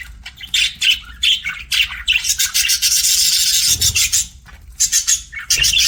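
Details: Pet budgerigar chirping in a rapid, scratchy warble of harsh, noisy bursts and chattering notes, running almost continuously with brief pauses.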